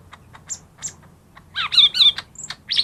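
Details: Lesser green leafbird (cucak ijo mini) song for luring silent caged birds into song: scattered high ticks, then loud buzzy warbled phrases with sweeping whistles and a closing sharp squeaky note, over a faint low hum.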